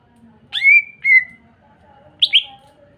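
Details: Greater green leafbird song used to provoke other green leafbirds into singing: a high whistled note held level, a shorter whistle after it, then two sharp rising-falling notes after a pause.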